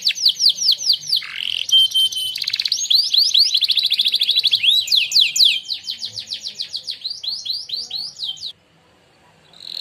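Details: Contest-winning canary giving its training song, a varied run of fast rolling trills, sweeping slurred notes and sharp descending chips in rapid repeated tours, ending abruptly before a short quiet pause.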